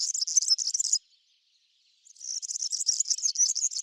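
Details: A European serin in a backyard, where serins come to feed on cabbage seeds, gives a very high, fizzy, jingling song in rapid bursts, with a second-long pause between two phrases; no other sounds.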